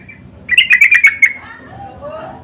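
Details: Yellow-vented bulbul call used as a lure to make other birds answer: one brief burst of quick, harsh chattering notes, followed by faint softer whistled notes.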